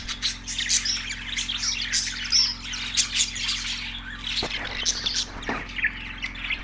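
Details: Budgerigars chirping: a dense flock chatter of overlapping chirps, squawks and warbling notes, continuous throughout, over a steady low electrical hum.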